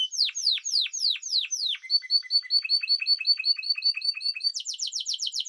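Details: Spanish timbrado canary song: a run of steeply falling sweeps, then a fast series of short repeated notes stepping downward, ending in a rapid high trill; no other sounds.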